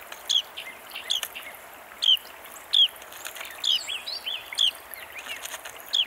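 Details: Carolina Wren heard close up: clear, high, down-slurred whistles repeated about every second, with scattered faint chips and tweets from other birds behind them and a low hiss throughout.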